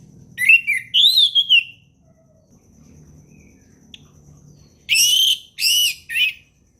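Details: Forest ngeplong song from an orange-headed thrush, played to help young birds learn. Rising and falling whistled notes open the song, then a long quiet stretch with faint low hum, then three strong, buzzy-edged notes.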